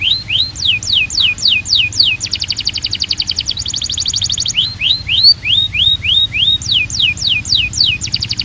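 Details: Belgian canary calling the others to sing: rising whistled slurs, a long fast rolled trill, more upslurred whistles and a closing series of falling notes, sung loudly and continuously.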